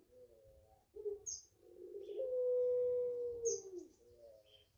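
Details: A five-month-old puter pelung Barbary dove from a home garden gives a few short gurgling coos, then one smooth, level, low coo held for about a second and a half, while small birds chirp faintly in the background.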